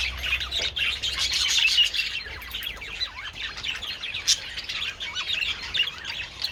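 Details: A group of budgerigars eating treats in sunshine on 27th February, chattering continuously with fast scratchy chirps and warbles, a sharp click midway.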